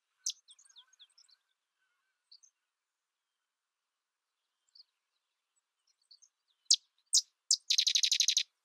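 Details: Faint clustered chips from a sedge wren, a long pause, then three loud sharp notes and a rapid buzzy chattering trill.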